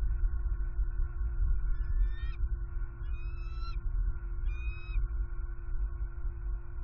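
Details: Wild bald eagles on a Southwest Florida nest camera, November 23, 2020, as the male flies in with an opossum and the female claims it; three high, thin, harmonic chittering calls spaced about a second apart over a steady low rumbling hum.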